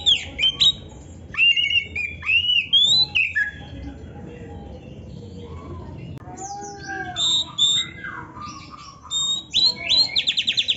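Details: Oriental magpie-robin song played as a full-content master recording for training songbirds: bursts of whistled and slurred notes with rapid trills, separated by quiet gaps, ending in a fast repeated stutter.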